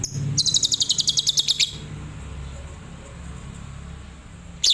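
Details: Adult lovebird singing a tembakan Cililin style: a fast machine-gun burst of about fourteen identical high sharp notes over one and a half seconds, then near silence with a low hum before another loud note begins.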